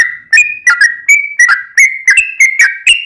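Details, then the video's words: Yellow-vented bulbul in rapid song meant to draw replies from other bulbuls: clear, slurred whistled notes, some held flat and some dropping, each starting with a click, about three per second. "trucukan gacor ROPEL PANJANG buat pancingan trucukan agar bunyi JADIKAN burung trucuk gacor NYAUT"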